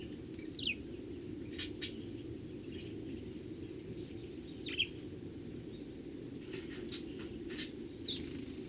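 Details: Eurasian tree sparrows, many visiting in early January; sharp, downslurred chirps given singly and in short bursts at irregular intervals, over a steady low background hum.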